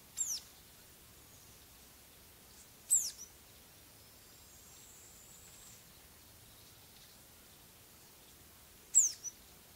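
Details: Crested tit calling: three brief, very high bursts near 0.2, 3 and 9 seconds, each a quick trill of steep downward strokes followed by a short tail, separated by quiet background hiss.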